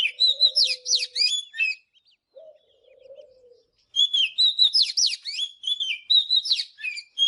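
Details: Oriental magpie-robin morning song used for voice training: bursts of bright, varied whistles and sharp chirps, high and fast, broken by a pause where a low soft cooing sound is heard twice.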